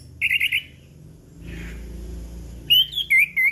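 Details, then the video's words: Chestnut-capped thrush singing in a clear, open style. The recording is used as a lure to set off birds that have stopped singing, morning, noon and evening. A quick burst of four whistled notes comes first, then a pause, then gliding whistles. "Anis Kembang Ngeplong Pagi Siang Sore - PAncingan Burung Anis Kembang Macet Bunyi"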